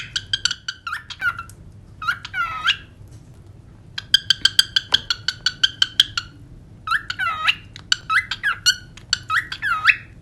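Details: Cockatiels whistling and singing as pets, a rhythmic run of clipped, evenly spaced whistled notes mixed with swooping chirps and short warbled phrases.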